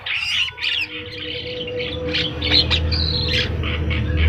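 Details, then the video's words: Energetic Javan myna song of harsh squawks mixed with piping whistles and short chirps, a rising whistled note near the end, over a continuous low hum and a faint steady tone. "burung jalak kebo gacor"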